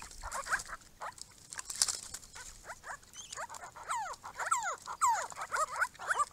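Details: Grey-crowned babblers, a small group visiting a garden pond built for them, give a lively chatter of quick, steeply downslurred notes, sparse at first and then bunching into a fast overlapping run of squeaky slurs.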